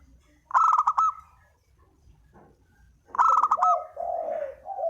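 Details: Two harsh, rattling bursts from a Spotted dove lure call, the second followed by a drawn-out low coo, with near silence between them.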